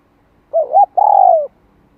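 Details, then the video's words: Spotted dove used as a decoy to lure and train another bird, giving a clean coo phrase: two short hooting notes, then one longer mellow note that slowly falls, against a quiet background. "Tiếng cu gáy kích mồi tập bổi 2 hậu lỡ"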